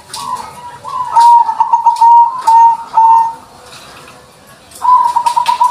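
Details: Singing hard, a white-barred 'putih lurik' zebra dove gives runs of quick, trilled coos that are loud and level in pitch, then pauses for over a second before another burst begins.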